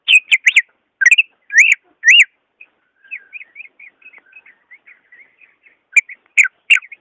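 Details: Greater green leafbird, caged, singing as a lure for a silent bird: loud whistled phrases, then a long soft twittering stretch, ending with another loud burst of notes.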